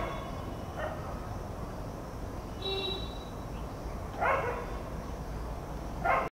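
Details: Indian grey hornbill at S Shiv Ngr, dated 15 09 23, giving three harsh, squealing calls a few seconds apart, over steady low rumbling background noise and a brief thin whistle.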